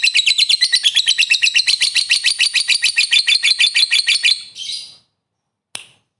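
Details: Long ngekek trill from a lovebird, meant to raise other lovebirds' excitement: a fast, shrill, evenly pulsed chatter lasts about four and a half seconds, fades into a short squeaky note, then silence and one brief final chirp.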